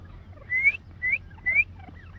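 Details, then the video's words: Caged Iranian grey partridge, a fighter bird, calling; three clear whistled notes, each sliding upward, spaced about half a second apart, over a low steady hum. "Fighter Teetar Calling Sound | Teetar ki Awaz | Teetar ki Voice Partridge Voice"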